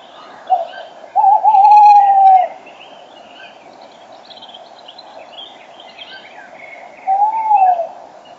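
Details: Male tawny owl almost in the microphone at 06:34 on a March morning, female farther off, dawn chorus around. A short hoot, a long wavering hoot, songbird chatter, then another falling hoot.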